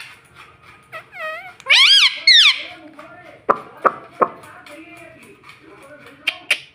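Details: Pet talking parrot saying "mummy". Brief, wavering, voice-like syllables with bending pitch are followed by a few sharp clicks and quiet room noise.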